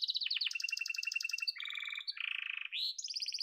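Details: Yellow domestic canary singing a fast, varied song: high buzzy trills switch quickly into lower rattling tours and rolled phrases, ending on a rising sweep and bright repeated notes.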